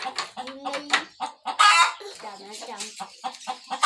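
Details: In a village, a hen ready to lay eggs clucks almost without pause: dense, overlapping short clucks with one louder harsh squawk in the middle, busy throughout.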